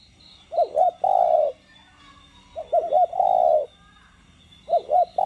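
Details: Spotted dove giving its standard 'đồng' style coo, meant to rouse captive birds: three phrases of two short wavering notes, each ending in a drawn-out mellow coo, repeated about every two seconds over a quiet hiss.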